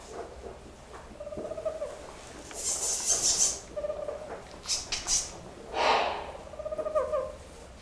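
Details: Captive Spix's screech owl at a bird park in Kobe, Japan, born in 2006, directing courtship behaviour at a glove: soft low hooting trills with harmonics repeat several times, broken by loud rustling and handling noise.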